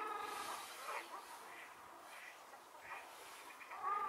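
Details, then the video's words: Ruddy shelducks (Tadorna ferruginea) in Hesse, Germany, in late March 2022, seen from an observation hide near Hergershausen and at Bickenbach, give nasal honking calls about one a second, ending in a louder trumpeting note, over steady background hiss. "Rostgans Ruf - Tadorna ferruginea - Kasarkas"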